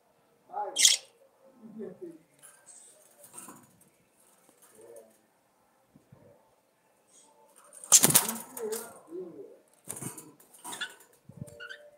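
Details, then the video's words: Warbling chatter of budgerigars: scattered low nasal notes and soft chirps, with loud scratchy broadband bursts near the start and again around the middle, followed by quick twittering. "CANTO DE PERIQUITOS-AUSTRALIANOS"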